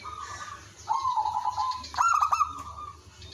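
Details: Village zebra dove calling as a lure, answered by others: a distant trilled coo, a steady rolling trill, then a loud staccato burst flowing into a long purring trill.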